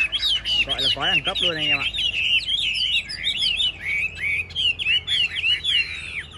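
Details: A brief low human voice opens, then a caged Chinese hwamei in a rack singing contest pours out quick, varied whistles and warbles, rising and falling in fast succession.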